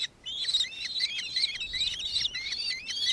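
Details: Nankeen kestrel in Victoria, Australia, December 2024: after a short silence, a tight string of high, thin, rising and falling notes delivered quickly and continuously.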